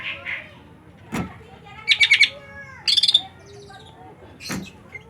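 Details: Soft chirps lead into two rapid buzzy trills of repeated high notes, with faint whistles and a couple of thumping knocks in the background.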